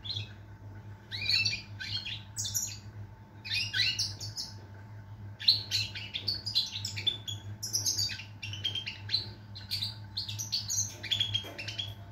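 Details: Extended goldfinch song of fast twittering phrases, sharp metallic chirps and buzzy trills, coming in dense bursts separated by short pauses, accompanied by a low background hum.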